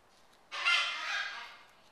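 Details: Military macaw kept as a pet, eating a peanut butter cracker treat, letting out one loud harsh squawk of about a second that fades away.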